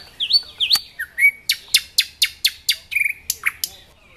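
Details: A nightingale sings in Dubki park at Sestroretsk, Saint Petersburg: looping whistled upslurs, then a crisp series of about ten loud, evenly spaced percussive chips, with a buzzy phrase near the end.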